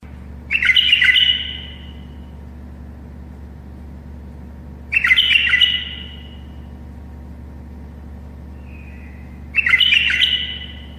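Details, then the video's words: Tame bulbul singing to help other bulbuls learn to sing: three short bubbly warbled phrases, each about a second long with a trailing note, repeated roughly every four and a half seconds over a steady low hum. "تغريد بلبل أليف يساعد البلابل القافلة على التغريد."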